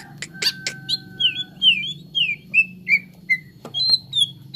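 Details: Greater green leafbird song used as training audio to bring young birds into song: a run of bright, sliding whistles, each dropping in pitch, about two a second, with a few sharp clicks and a low background hum.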